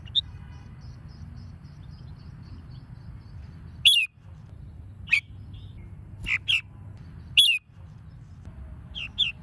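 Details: Red-whiskered bulbul singing to excite other bulbuls into competitive singing; scattered loud, sharp whistled notes and short two-note phrases with long silences between, over a low rumbling background.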